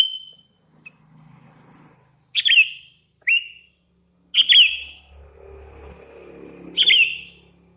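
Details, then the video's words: Hand-raised young sooty-headed bulbul in strong song, giving short whistled notes with sharp downward flicks at irregular intervals, with a faint low hum in the background. "Suara ASLI kutilang LOLOHAN GACOR"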